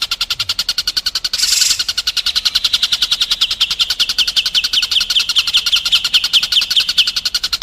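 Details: White-rumped shama training song for contest birds, a long steady rapid pulsed trill with a brief noisy burst near the start, loud and close.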